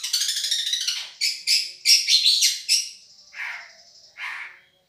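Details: Long-tailed shrike of the Madura type, a champion-voiced bird recorded as a tutoring track for other birds: a dense, scratchy chatter opens, then short buzzy bursts, a thin, high, held whistle, and two lower rasping notes.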